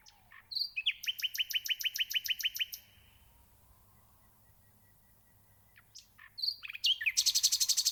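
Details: Nightingale singing: a fast series of about a dozen repeated sharp notes with high buzzy overtones, a pause of near silence, then a loud rich burst of varied high notes and trills.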